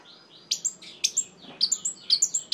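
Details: Orange-headed thrush giving a string of short, high, sharply broken chirps in pairs and threes, a sound played to make other orange-headed thrushes turn aggressive.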